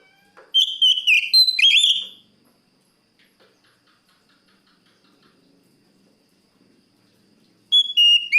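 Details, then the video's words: Oriental magpie-robin singing to challenge a rival: a loud phrase of whistled and slurred notes with chips, then about five quiet seconds, then another whistled phrase starting. "suara burung Kacer gacor plong memangil lawan"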